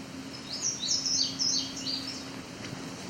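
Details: A male Indigo Bunting sings a quick, bright run of high paired notes lasting under two seconds over a faint low hum, in field-edge habitat near Cape Chin North, Ontario, on 17 July 2019, with a second male nearby.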